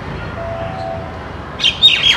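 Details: A common myna gives an alarm call, a few harsh, raspy squawks in quick succession near the end, after a quiet stretch of low background hum, while an Indian palm squirrel checks the direction of the alarm.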